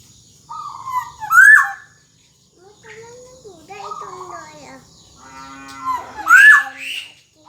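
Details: Black-naped oriole (kepodang emas) in 'gacor dor jonbreak' style for tutoring young orioles learning to sing: bold whistled phrase with a rasping upsweep, then nasal mewing notes and chatter, and a second whistled burst near the end.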